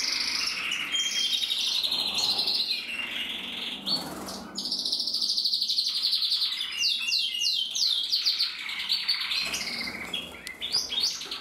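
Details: A 2024 red-mosaic isabel male canary with a red mask sings a long, unbroken song of rolling trills, clear whistles and fast series of falling sweeps, with a slightly quieter stretch midway.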